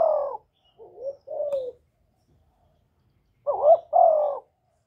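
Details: Captive spotted dove cooing as a lure to excite newly kept doves, recorded without background noise. A soft, quieter phrase comes first, then after a pause a louder phrase of a short coo and a longer falling coo.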